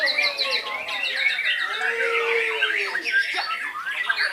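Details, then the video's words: White-rumped shama from Belitung Island, Indonesia, in full song: a dense, loud stream of overlapping whistled sweeps, rising and falling slurs and quick chattering notes that fills the whole clip without pause. "MURAI BATU JABRIK MASIH MENYUGUKAN PERFORMA TERBAIK NYA"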